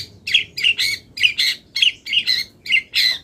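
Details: Long-tailed shrike, mid-moult, pouring out a mimicry-rich song: eight rasping, chattering notes in just over three seconds, each a rough burst with a brief bright peak, fairly steady in rhythm.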